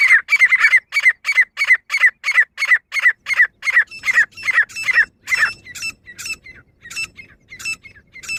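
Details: Female grey francolin calling: a fast series of harsh, squawking notes about three per second, shifting midway to thinner, higher clipped notes with short gaps, loud and close with no other sounds.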